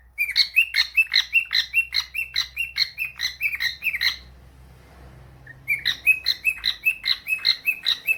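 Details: Pet cockatiel answering a phone call: rapid, evenly repeated harsh chirps, roughly two or three per second, in a long run that stops briefly for over a second before resuming at the same pace, with faint low background hum.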